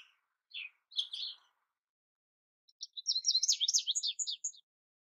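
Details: Quieter American goldfinch song: a few separate high chirps at the start, a pause, then a quick, bubbling series of twittered notes lasting about a second and a half.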